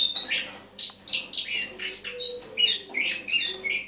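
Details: Autumn morning song of a Eurasian blackcap, 1 October 2017: quick, jumbled warbling of short high notes, each burst sliding down from sharp chirps to lower whistles, bursts following about every third of a second.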